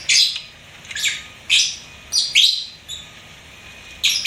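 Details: Pet lovebird chirping: five or six loud, harsh, high squeaks spaced about half a second apart, each short and slightly descending, over a quiet background.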